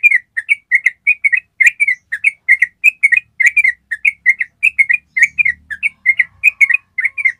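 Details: Long ropel song of a yellow-vented bulbul, a training recording to get other birds to follow the ropel: continuous chattering run of quick clipped double notes, steady and dense across seven seconds, faint low rumble midway.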